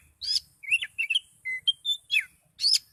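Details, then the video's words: Brief excited burst from an Oriental magpie-robin: harsh rasping notes alternating with clear short whistles, some level and some sliding down. "Kacer Gacor Kicau Door Lanjut Emosi Tingkat Tinggi"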